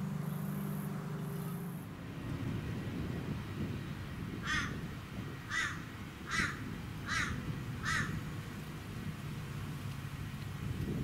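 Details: Lewin's honeyeater calling in a suburban garden on the Sunshine Coast, Queensland, in April: a run of five loud, harsh, rattling notes spaced about a second apart, over steady suburban background hum.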